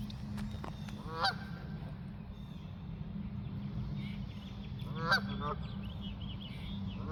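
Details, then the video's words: A pair of nasal goose honks four seconds apart, with softer distant calls between them and a constant low rumble beneath. "Geese honking and flying"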